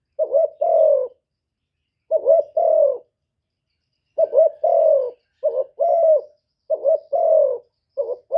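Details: Decoy spotted dove cooing to challenge a wild bird, delivering mellow two-note phrases, a short broken coo then a longer drawn one, first spaced apart, then in a quicker run.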